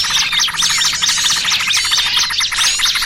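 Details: Lure sound for attracting and trapping small birds, noisy trucukan combined with burcil kejepit: many overlapping high chirps and quick rising-falling whistles pour out continuously at full volume.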